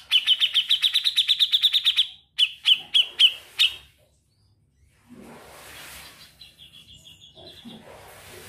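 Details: Grey-cheeked bulbul in lively trilling song: a rapid even trill of about twelve bright notes, then five slower clipped notes, followed by silence and faint background noise.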